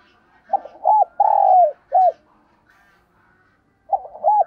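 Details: Spotted dove luring call: a full phrase of short notes, a long falling burred coo and a clipped final note, then a second phrase beginning after a pause, with faint murmuring in the background.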